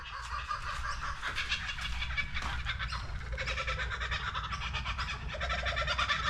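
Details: Laughing Kookaburras in Australian bush during winter, a loud rolling chorus of cackling, hooting notes that rise and tumble over each other throughout, with a low steady hum beneath.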